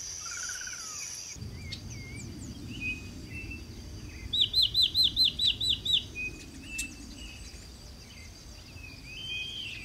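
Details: Unicolored blackbird (Agelasticus cyanopus) recorded in Ribeirão das Neves, Minas Gerais, Brazil, sings a quick run of about eight bright, repeated notes over a second and a half, with scattered chirps, a steady high insect hum and low rumble.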